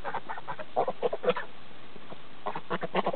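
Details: Geese on a friend's farm in Lyndeboro, New Hampshire, giving soft, short nasal honks in loose clusters, quiet and conversational, with a brief gap mid-way.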